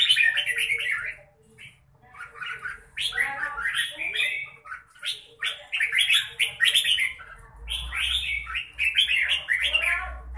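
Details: Red-whiskered bulbul giving a long mãng nhãn-style performance, with repeated bubbly whistled phrases that slide up and down, one after another with brief gaps, and a low background rumble near the end.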